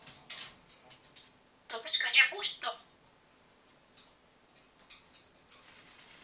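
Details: Talking pet grey parrot indoors, giving a cluster of squeaky, high-pitched speech-like syllables in the middle, framed by softer clicks and brief chirps, with quiet pauses between bursts.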